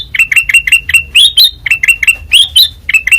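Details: White-eyed kutilang emas chirping energetically in ngeplong style: a fast chain of bright, clipped notes with occasional higher rising slurs, about four notes per second.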